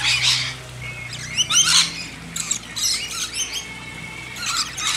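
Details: Backyard lorikeets at a hand-feeding make scattered shrill squawks and short up-and-down chirps in irregular bursts, with quieter gaps and a faint steady hum.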